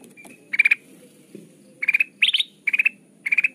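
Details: Kutilang emas bulbul lure song: a few spaced bursts of rapid, clear chirped notes, one burst pitched higher and rising, separated by brief quiet gaps.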